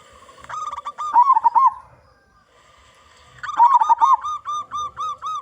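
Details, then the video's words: Loud local zebra dove singing to lure other zebra doves: two phrases of bubbling, trilled coos separated by a silent gap, the second ending in a row of evenly spaced soft arched notes. "Perkutut Lokal Gacor Suara Besar"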